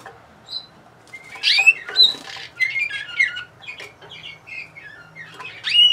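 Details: Bulgarian canary song recorded in Sofia in 2020: bright high whistles, short slurred sweeps and clipped chirps in uneven phrases, some notes held briefly, with a faint low hum behind.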